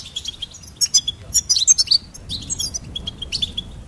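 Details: Goldfinch singing: a quick, tinkling twitter of high, bright chirps and short trills. The notes come in uneven bursts, with faint low background rumble.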